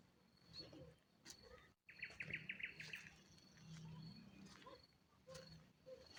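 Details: A common nightingale sings in the evening from high in a willow on a village outskirts in Poltava region, Ukraine: a rapid, rattling phrase of high repeated notes, with other distant bird calls and low background rumble.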